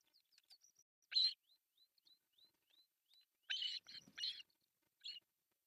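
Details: Osprey nest cam at an artificial nest in Pohjois Satakunta, Finland, on 1 July 2024, with three chicks during breakfast feeding: loud harsh chirping bursts alternate with a string of faint, thin upslurred whistles.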